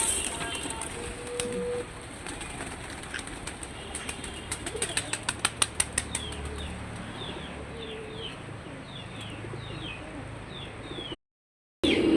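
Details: Domestic pigeons on a rooftop, just released in the morning before feeding: a quick run of sharp wing claps and flapping in the middle, then faint thin descending chirps over steady background noise.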